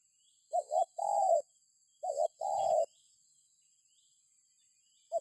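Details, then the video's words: Spotted dove coos meant to make other birds join in: two full phrases, each a quick double note then a longer hollow coo, then silence and the start of a third, faint high whine running throughout. "Suara Burung Tekukur"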